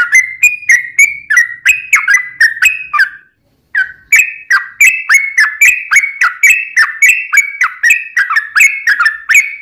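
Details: Long rolling song of a sooty-headed bulbul, meant to lure other birds to answer: fast chains of liquid whistled notes with sharp onsets, broken by a brief silence near the middle before the stream resumes.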